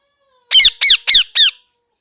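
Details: Parrot giving four loud, shrill squawks in quick succession, each a harmonic note that bends downward, spaced about a third of a second apart against a silent background.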